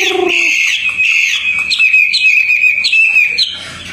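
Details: Tame outdoor Hwamei giving a short low note followed by a sustained bright whistle broken by quick upward flicks and chips.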